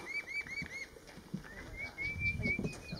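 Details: Red-billed scythebill (Campylorhamphus trochilirostris) by the Transpantaneira, Pantanal, Mato Grosso, Brazil, 23 August 2016, calling four quick arched whistles, then longer slurred high whistles, over low rumbling handling noise.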